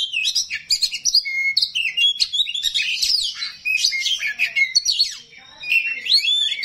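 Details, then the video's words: Oriental magpie-robin, a kacer rawit with harsh song phrases, sings a fast, varied run of high whistles, sharp chirps and rasping notes, sliding up and down with barely a pause. "KACER RAWIT BONGKAR ISIAN KASAR, BIKIN KACER LAIN PASTI NYAUT"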